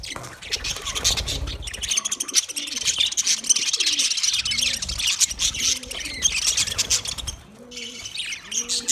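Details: A continuous flock-like budgerigar chatter of dense, scratchy warbles and chirps, with repeated low, rolling coos behind it throughout.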